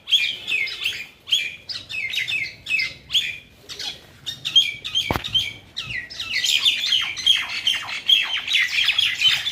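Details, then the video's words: Common mynas fighting near Keraniganj, Dhaka, Bangladesh; bursts of harsh, chattering squawks and scratchy notes in quick irregular runs, a sharp click midway, then a louder, denser chorus of overlapping calls. "শালিক পাখির মারামারি | Shalik bird fights"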